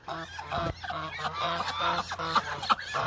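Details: A hungry flock of about 1000 Muscovy ducks gives dense, overlapping nasal honking calls, several a second, that layer into a steady clamour over a low constant hum.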